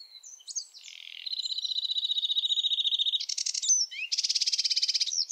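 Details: Varied song of a sedge warbler: slurred whistles lead into a long steady buzzy trill, then fast grating rattles, with phrases in random order.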